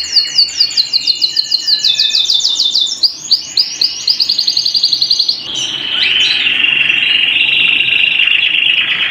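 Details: Domestic canary song at home: a rapid series of sharp, high repeated notes, about four per second, leading into a steady, continuous rolling trill held for several seconds.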